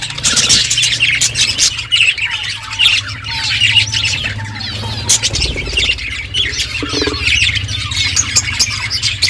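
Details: Budgies eating and chirping, steady high chatter from several birds, a short series of soft repeated notes, occasional clicks and a low background hum.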